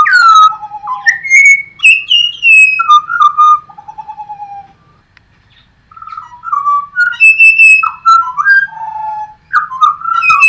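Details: Birds singing in Australia: clear whistled phrases, some sliding down and others warbling, overlapping one another with short gaps, in a clean, quiet setting with a faint low hum.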